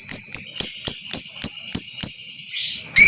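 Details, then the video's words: Rapid lovebird chattering meant to provoke long trilling: eight sharp, shrill, ringing chirps about four per second, a brief buzzy note, then another loud squeak, over a constant high whine. "lb AKAN TERPANCING NGEKEK PANJANG,DAN GACOR Dengar Suara ini Super Ampuh Naikan Emosi Lovebird Pakum"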